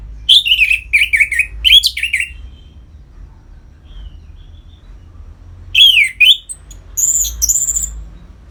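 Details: Orange-headed thrush, captive, song played to stimulate other caged birds into breeding condition: loud bursts of slurred, warbled notes around high pitch, a run of quick phrases early, then a descending slur and high whistles after a pause.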